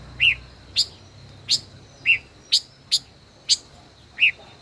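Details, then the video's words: Caged five-colored bird in a singing duel: sparse short notes, some soft rounded whistles and some sharp clicky ticks, spaced roughly half a second apart over a quiet background hiss. "Chim ngũ sắc hót đấu ,chim mồi hơn 1 năm lồng hót đấu căng đét luôn"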